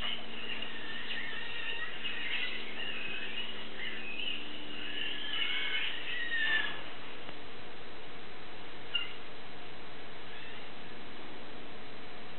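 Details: Four wild nestlings found on the ground in a yard, kept in a cage and fed by their mother, keep up a dense, high, squeaky begging chorus for about seven seconds, then fall quiet except for one chirp; low hum.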